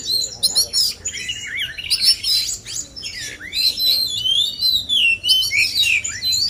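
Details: Male oriental magpie-robins sing against one another to sharpen their singing and bring out mimicked phrases; continuous bright warbling with rising and falling whistled slurs and clipped chirps, dense and energetic throughout.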